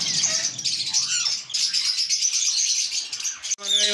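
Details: Several Indian ringneck parakeets in a breeding setup, where a yellow-and-white bird sits on eggs, chatter together in a steady stream of shrill, overlapping chirps and squeaks. A short human voice cuts in at the very end.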